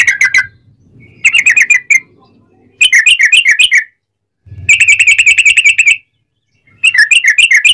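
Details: Sooty-headed bulbul song used as a lure to make other bulbuls sing: short bursts of quick, chattering, slightly warbling notes, each lasting about a second, separated by brief gaps, with faint low rumbling between.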